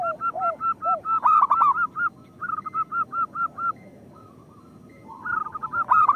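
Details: Local zebra doves singing, a recording used as a lure to get lazy birds to sing: rapid runs of short, even coos, broken by loud, ringing bursts of notes and some lower, softer coos. Gaps of near-silence fall between phrases.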